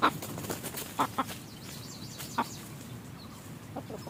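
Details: Wild red junglefowl lured by a decoy in forest; scattered clipped clucks, a few close together then a longer pause, set against a faint wavering high chirp and background hiss.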